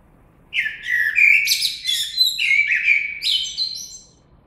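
A common blackbird sings a short run of rich, warbled phrases with sliding notes, each trailing into thin, squeaky twitters, against a quiet background.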